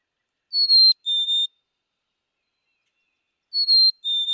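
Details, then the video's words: Black-capped chickadee giving two clear whistled phrases about three seconds apart, each a high pure note dropping to a slightly lower, briefly broken second note, the classic fee-bee pattern; quiet background. "Black capped Chickadee - Song & Call"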